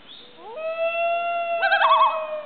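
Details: Common loon, one of a pair with a baby, giving a long steady wail that rises briefly at the start and holds a level pitch. Near the end a quavering, wavering call overlaps it. Background is quiet.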